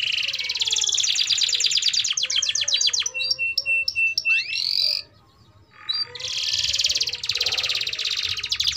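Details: Canary in long, vigorous song as a lure for young canaries learning to sing: a fast rolled trill, steady whistled notes, a short gap of near silence, then the buzzy trill returning.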